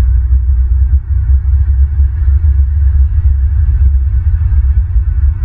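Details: Steady low rumble and droning hum fill the recording, with faint throbbing and no animal calls.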